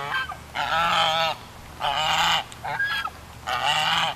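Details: Loud, drawn-out nasal honks from geese at High Hill Ranch, three long calls plus a shorter one, each held for about half a second to a second, over a constant low rumble.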